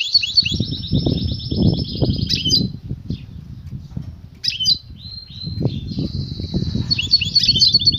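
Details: European goldfinch, female calling so the male answers in song before mating: bright buzzy twittering and a drawn-out trilled note, broken by short chirps, over low rustling and wing-flutter noise.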